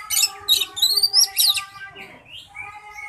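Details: Oriental magpie-robin at a singing competition pours out fast high whistles and rising slurred notes in short bursts, over sustained musical tones and faint clapping.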